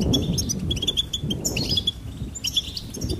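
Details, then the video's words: Goldfinch twittering in quick bursts of high, bright notes, with a steady low rumble of background noise underneath. "Charming Goldfinch Peep"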